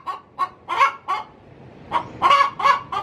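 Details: Domestic hen cackling before laying in her coop, quick rough clucks in a run of four, a short gap, then another run of four.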